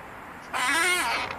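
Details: Household female parrot speaking a single mimicked "no", a raspy, harmonic, voice-like sound of about three-quarters of a second with a gently arched pitch, then fading into low room hum.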